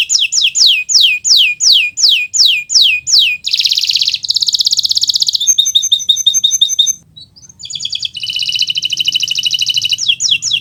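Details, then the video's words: Kenari Nusantara canary in continuous 'gacor' song, played as a master for birds learning to sing: repeated downward whistled sweeps, dense buzzy trills, a crackling rattle, a short pause, then more trills and sweeps. "Suara Burung Gacoran Kenari Nusntara, untuk Masteran Belajar Bunyi"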